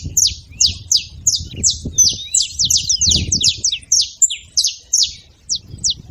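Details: Several saffron finches calling noisily together: dense bursts of sharp, high, downward-slurred chirps, many overlapping and tumbling in quick succession, with a soft low rumble underneath.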